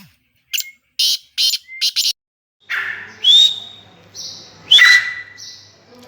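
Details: Black francolin, known locally as kala sindhi teetar, offered for sale: four short, harsh rasping bursts within under two seconds, then a pause and two loud, sharply rising whistled notes with buzzy trailing tones, in an otherwise quiet setting.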